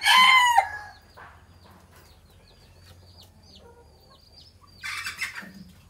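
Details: Decoy red junglefowl of the traditional Phatthalung bloodline opens with a loud, hoarse crow ending abruptly, followed by thin, repeated chirps of small birds and a second, quieter crow near the end.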